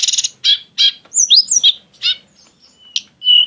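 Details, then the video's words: Mountain flowerpecker, known as tledekan gunung, with an exotic style and lavish bursts: a fast buzzy trill, repeated harsh chips, looping whistled slurs and a final drawn-out whistle. "kicau tledekan gunung yg punya gaya exsotis dan tembakan yg mewah"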